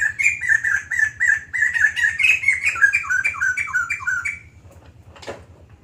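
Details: White-crested laughingthrush singing long and continuously: a steady string of about fifteen repeated, slightly slurred whistled notes, roughly four per second, then one harsh squawk; a low hum runs underneath.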